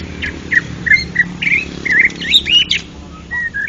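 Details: White-rumped shama, a national champion contest songbird, singing in the ngeplong style of continuous loud song: varied clear whistled phrases and slurred notes in short bursts, over a constant low background hum.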